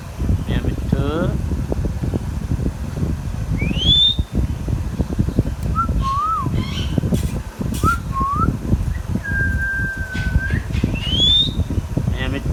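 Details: Pet Indian ringneck parrot: a rising whistled note, short two-part wavering whistles and a long level whistle, then another rising whistle, over steady low rumbling background noise.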